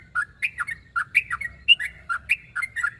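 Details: Calling to draw out a rival, a sooty-headed bulbul gives quick bubbly phrases of two or three liquid, dipping notes, repeated about every half second.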